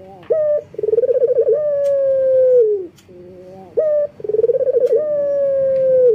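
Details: Male local collared dove in breeding condition calling to females: two long cooing phrases, each a short clipped note, then a rolling pulsed coo that settles into a long drawn-out tone falling away at the end, about three seconds apart.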